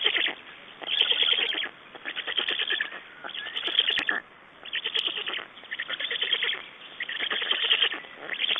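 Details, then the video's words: At a black stork nest in Estonia, 6 June 2011, around nest exchange and feeding: rhythmic, wheezy rasping bursts repeat roughly every second or so, each made of fast pulses, with brief pauses between them. "Black Storks nest Estonia - Exchange and feeding"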